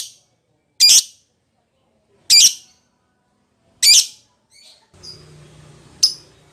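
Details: Lovebird calling to its companion: four loud, harsh, high squawks spaced about a second and a half apart, then softer chatter, a faint low hum and one more sharp squawk.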